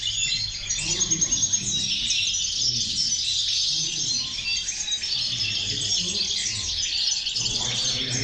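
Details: Chorus of European goldfinches used to motivate other goldfinches: dense, continuous high twittering and chirping from many birds, overlapping tinkling notes without pause throughout, with faint low background rumble.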